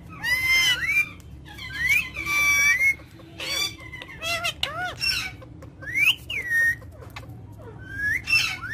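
A parrot chatters in a run of squawks, whistles and speech-like phrases, some swooping up and down, others harsh and rasping, coming every second or so.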